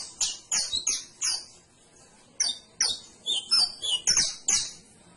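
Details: Canary singing clear, high, whistled chirps in groups, a short pause, then a lively cluster of ringing notes with piercing tops, close and loud.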